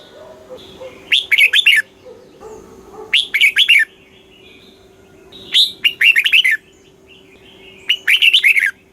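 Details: Red-whiskered bulbul song from Thailand, southern master style, meant to excite caged birds and teach chicks: four bright, rapid warbling phrases at irregular intervals of two to three seconds, a steady low hum throughout.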